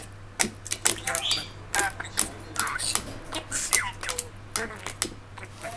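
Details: Male budgerigar, three and a half years old, kept indoors, chattering excitedly at a mirror on a morning after rain in December 2018. It makes fast garbled mimicked speech mixed with squeaky chirps and clicks in dense, irregular bursts.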